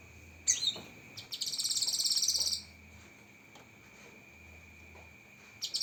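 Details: Cucak kinoi tutor song with fast 'tembakan' fill: a sharp chip, then a high, rapid buzzy trill of about 1.3 seconds, silence, and a brief burst at the end, over a steady background hum.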